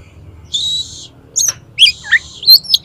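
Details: Oriental magpie-robin challenging another to fight, tail fanned, delivering copied song: a long steady high whistle, a harsh sweeping burst, then twisting whistled slurs and sharp high notes.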